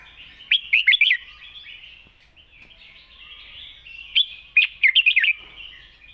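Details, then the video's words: Long-phrased, light-voiced wild song of a red-whiskered bulbul: two bright rapid warbling phrases near 1 and 5 seconds, linked by quiet continuous twitter. "เพลงป่าๆ สำนวนยาวปากเบา ฟังเพลิน#นกกรงหัวจุก"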